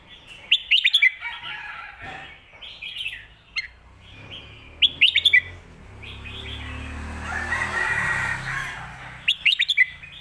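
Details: Red-whiskered bulbul singing 'phat kuaitiao' (stir-fried noodles) and 'khayao khuat' (shaking bottle) song styles for home training: three bursts of lively, bubbling whistles, with a broad rushing noise in between.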